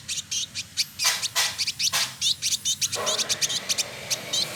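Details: Male Village indigobird (trotol) in Bandung, West Java, Indonesia, used as a tutor bird for other songbirds, delivering lively high chirps and short buzzy bursts in quick succession.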